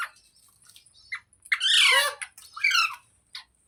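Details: Green parrot (rose-ringed parakeet) kept indoors: soft chatter first, then a long loud harsh, speech-like phrase, a shorter rasping follow-up and one brief final squawk.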